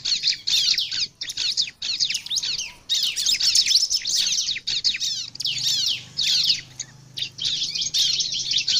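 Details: Lure song of a bar-winged prinia meant to attract other prinias: continuous, busy high-pitched twittering in quick scratchy phrases with short gaps, over a faint steady low hum.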